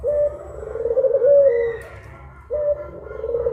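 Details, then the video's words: Puter pelung collared dove giving a long, smooth, descending coo, then a short gap before the next drawn coo begins, steady and mellow, with faint low hum behind. "PUTER PELUNG MASTERING || PANDUAN SUARA 2 BURUNG INI BIKIN MERINDING DI SIANG BOLONG"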